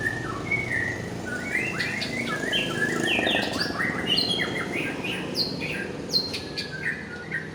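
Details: White-rumped shama of the Aceh type, a fighter bird on form, gives scattered sharp whistles and short trilled phrases over a steady low rumbling background noise.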